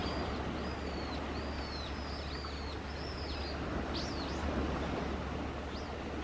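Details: Flock of about 30 horned grebes on the coast at Kotoura, Tottori, Japan, 11 December 2021, giving high, thin, slurred whistles, several overlapping at an uneven pace, over a steady low rumble of wind and surf.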